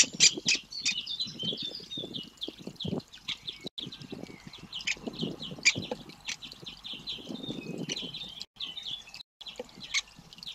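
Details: Great spotted woodpecker nestlings calling insistently while being fed: fast, uneven series of high chirping notes, about four per second, over low rustling and scraping sounds throughout.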